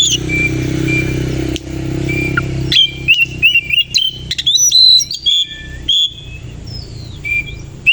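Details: Oriental magpie-robin singing in the morning with its tail opened: after a steady engine hum fades, a lively stream of whistled slurs, clicks and high ringing notes.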